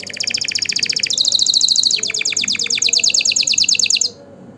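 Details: Canary song used to stimulate mating and to tutor young birds. High, rapid rolling trills shift in pitch partway through and continue as a steady pulsing series of repeated notes, then stop abruptly. Faint background noise throughout.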